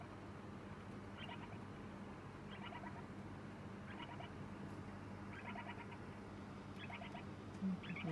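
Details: Lineolated parakeet chick in its new home on day two, crying 'pii-popo' as it is fed: roughly six short rasping pulsed bursts, one every second or so, low hum throughout and a knock near the end.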